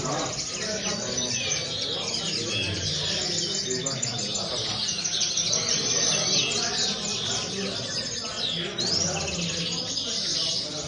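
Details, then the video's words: Common linnet song: a dense, continuous high twittering of overlapping chirps and short slurred notes, with a low rumbling murmur underneath throughout. "corona pardillos"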